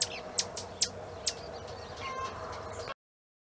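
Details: At a family smallholding in Planaltina, Federal District, Brazil, a Swallow-tailed Hummingbird gives four sharp, high, dry chips about every half second, then fades into a soft background hiss.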